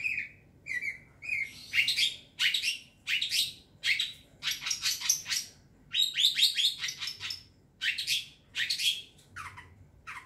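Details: Long, varied phrase from a young wild long-tailed shrike serving as a lure: short whistled notes first, then dense bursts of harsh chattering and grating notes for about ten seconds.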